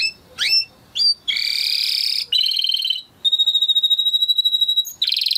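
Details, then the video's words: Timbrado canary singing a training song. Rising swept notes open the song, followed by a dense buzzy roll, a brighter pulsed trill and a long, even high trill. A rapid roll closes it. "Υour canary will sing UNSTOPPABLY"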